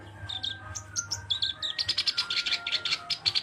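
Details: Short passage of Black-browed reed warbler song: a few high thin whistles at first, then a quick even series of harsh chattering notes repeated several times a second, over a faint sustained tone and low hum.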